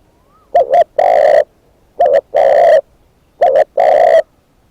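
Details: Spotted dove kept as a decoy bird, repeating three evenly spaced phrases: a short two-pulse coo and then a longer low steady coo, in clean quiet surroundings.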